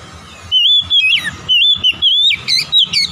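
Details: Oriental magpie-robin singing a lively sequence of whistles, level notes mixed with sharp downward slurs and buzzy flourishes, rapidly repeated.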